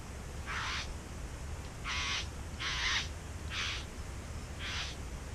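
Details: Nesting bowerbirds in a back yard utter five broad, grating, hiss-like bursts spaced roughly a second apart, each lasting about a third of a second, with low hum behind.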